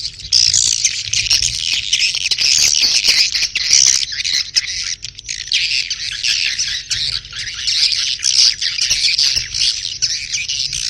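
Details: Swiftlets giving their mating call: a long, thick wall of shrill, buzzy twittering that rises and falls in loudness and never pauses.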